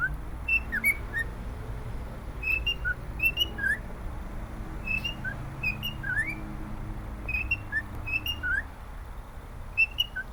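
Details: Happy male pet cockatiel singing a melody: clear whistled notes, short upslurs and downslurs near the middle and upper range, delivered in quick phrases about every second over a steady low room rumble.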